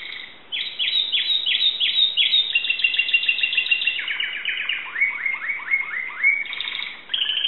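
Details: Greek-kept Timbrado canary in full song: fast series of repeated bright notes, several per second, shifting from high tours to lower rising slurs, then a short sustained whistle at the end.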